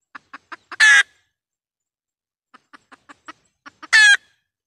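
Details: Hen red junglefowl decoy call for trapping wild birds in Vietnam. Four brisk clucks and a loud strained squawk, a pause, then a looser cluck series ending in a second loud squawk.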